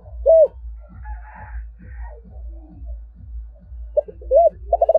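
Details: Spotted dove, 'giọng thổ' voice type, calling. One hollow coo sounds first, then a steady low thumping runs underneath. The clip closes with a rounded coo and a quick stutter of short notes.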